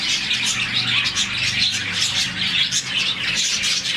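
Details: Morning chirping from a colony of about 40 budgies, a happy sound; many birds twitter together in a steady, busy wash of bright, rapid high notes, with a soft low hum behind.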